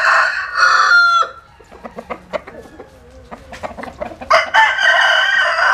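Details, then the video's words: A sunbathing rooster in rural Vietnam. It opens with a loud crow ending in a falling tone, then scattered sharp clucks and ticking sounds, then a strong, rough crow again at the end. "Nghe Gà Gáy"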